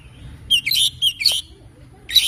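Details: Morning song of an oriental magpie-robin: quick clusters of sharp, sweet whistled notes in short bursts, with a brief pause before a final phrase.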